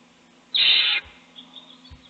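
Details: Owl chick being fed by its parent at a nest box while the other chicks sleep. A single harsh, hissing screech lasting about half a second, followed by faint soft high notes and low thumps.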